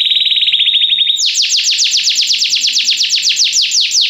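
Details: Steady high buzzy roll from a Belgian canary singing as a model for other canaries, switching after a second to a long series of fast, evenly repeated downward-sweeping whistles.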